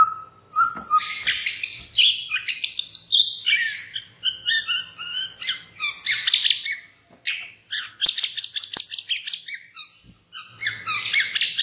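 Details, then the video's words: Extended white-rumped shama song used as a lure (pancingan) for other shamas: continuous, busy mixture of high chirps, squeaks and short whistles, delivered in clustered phrases with only tiny gaps. "cukup 3 MENIT SAJA, murai batu MANA SAJA Bakalan ikutan RAME dan BUKA PARUH dengan pancingan ini"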